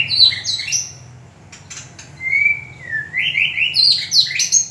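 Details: White-rumped shama of the Ranong, Thailand population sings rich, varied phrases: quick rising whistles, a long level note, then sweeping fluty slurs, with a few sharp clicks between.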